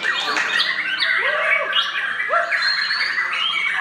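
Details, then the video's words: Young murai singing at a songbird contest while waiting to break the fast in Ramadan: varied whistled phrases sliding up and down, with rich warbles and other birds singing in the background. "ngabuburit bareng Murai Muda"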